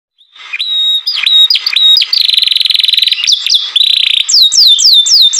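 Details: Green canary singing loudly: a varied run of whistled notes, clipped chirps and a fast buzzy trill, ending in a series of bright descending slurred whistles repeated in quick succession.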